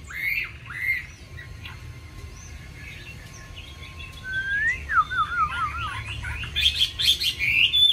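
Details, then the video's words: Caged Chinese hwamei in lively song full of wild-style phrases: a few scattered whistles, then sliding, twisting whistled runs building into loud, rapid warbling toward the end. "Mi hót hay đẹp cb8864c nhiều giọng rừng hay mau mỏ"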